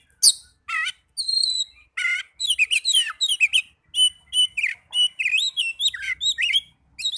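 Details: An Oriental magpie-robin in full song, meant to encourage young or non-singing birds: rapid, varied phrases of sweet whistles, slurred chirps and buzzy notes, delivered almost without pause.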